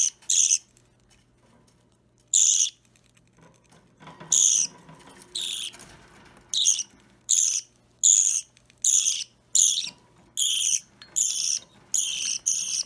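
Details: Pet Budgerigar chick, about three weeks after hatching, Opaline or normal green, during hand-feeding on 30 March 2017; loud grating begging calls speeding into a rapid, almost regular series, with brief scuffling sounds in between.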